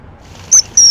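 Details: Common kingfisher while feeding chicks: two short, high, thin piercing whistles, each about a tenth of a second, roughly a quarter second apart, over faint background hiss.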